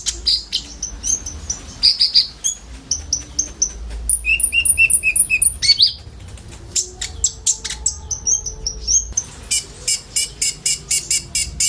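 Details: Common ioras, several birds together, singing filled-in song as a sunbird lure: high chirps, then a neat run of ringing, evenly spaced whistled notes, followed by a fast sequence of sharp ticks.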